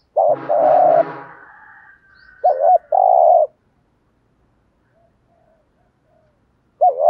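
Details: Decoy spotted dove cooing to attract wild doves: a rough, noisy burst opens, then a clear phrase of a quick wavering note and a long hollow coo, with another phrase beginning at the end.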